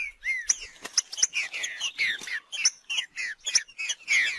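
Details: Green-winged saltator, wild, in macheando song: quick repeated chirps and bright slurred notes with sharp ticks, delivered in rapid bursts against a quiet background.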